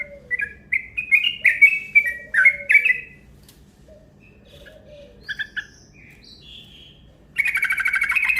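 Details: Long rapid 'ropel' lure call of a yellow-vented bulbul: a busy run of bright chattering chirps for three seconds, a quieter pause with scattered notes, then a fast buzzy trill of dense repeated notes at the end.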